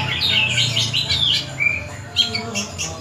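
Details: A long-tailed shrike (Lanius schach) sings a rapid, scratchy medley of chattering and squeaky notes, with a brief clear whistle in the middle and a faint low hum underneath.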